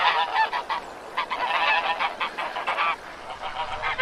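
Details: Farm white goose honking almost nonstop: rasping, nasal blasts repeated rapidly in uneven bursts, several calls blending together throughout.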